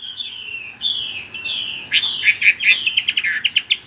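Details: Chinese hwamei in rolling gacor song: drawn-out whistles, then a quicker run of sharp chirps and trills, heard over a broad hiss of background noise.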